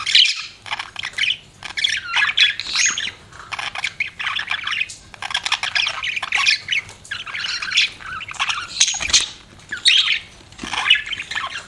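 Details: Pet budgies chattering in repeated bursts of scratchy squawks and buzzy warbled notes, with a faint low hum underneath.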